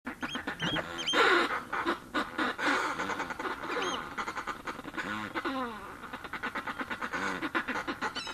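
Northern fulmars give harsh, guttural cackling calls. The calls overlap, then break into a fast run of grunting, chuckling pulses near the end.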